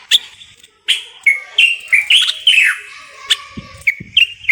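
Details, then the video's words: Moroccan common bulbul singing: short, loud whistled phrases of rich, slightly warbled notes, several in quick succession with brief pauses between, ending with a few sharp clicks and soft low knocks. "استرخاء مع تغريد طائر البلبل المغربي صوت صفير البلابل"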